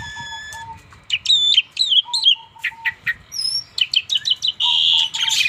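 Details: A bald Asian pied starling gives loud, varied chattering calls: clipped whistles, buzzy squawks and rapid clicking notes. A steady series of low whistled notes sounds in the background.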